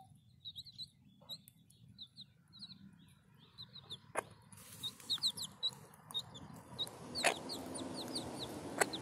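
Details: Backyard hen in a city garden with her chicks: scattered high, thin peeps sliding downward, sparse at first and then more frequent, with rustling and a few sharp knocks in the second half.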